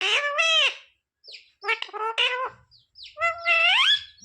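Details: Pet talking parrot, kept indoors and trained to say "mummy papa": three harmonic, voice-like calls, each rising then falling in slurred tones, separated by short pauses.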